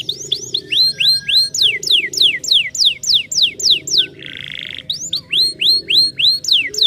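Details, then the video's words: Canary song played to make silent canaries start singing: quick repeated looping whistles and steep downward sweeps, a short buzzy rattle in the middle, then more rapid whistles, with low hum underneath. "Canários silenciosos cantaram imediatamente ao ouvir o som desses canários"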